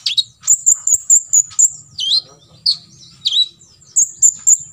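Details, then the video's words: Olive-backed sunbird giving 'full tembakan isian' song, used as a master recording for other birds to copy: rapid runs of piercing high chirps broken by swooping down-slurred whistles, steady and loud throughout. "KOLIBRI NINJA (KONIN) FULL TEMBAKAN ISIAN"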